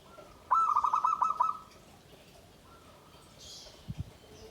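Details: Caged zebra dove (perkutut) of the Satrio Pinayungan type kept in a bamboo cage, its voice praised as hard, loud and penetrating. It gives one quick burst of about ten staccato, even-pitched cooing notes lasting about a second, followed by a low murmur of background noise.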